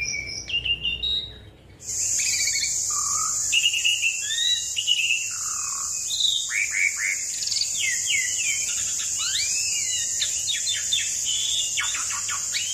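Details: Asian pied starling singing a long rolling song meant to prompt other birds into song: a busy stream of varied whistles, rising and falling slurs and clipped notes, backed by a constant high-pitched hiss.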